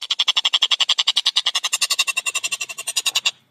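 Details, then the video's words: Collared kingfisher (tengkek buto) in full, energetic voice, clear and fast: an unbroken rattle of more than thirty harsh, ringing notes at about nine per second, lasting over three seconds. "Masteran Burung Tengkek Buto Gacor Suara Jernih Speed Rapat"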